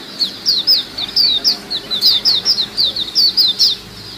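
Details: White-eye group chorus used to lure birds: steady run of sharp, very high chirps and slurred twitters, each burst about a third of a second apart, keeping up for over four seconds.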